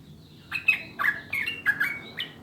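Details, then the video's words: Sooty-headed bulbul song used for prompting caged birds: a few bubbly, slurred whistles in quick succession, mid-pitched and warbling, with faint low background noise. "SUARA JERNIH PANCINGAN MASTERAN TRUCUKAN UNTUK BURUNG AGAR CEPAT BUNYI DAN GACOR"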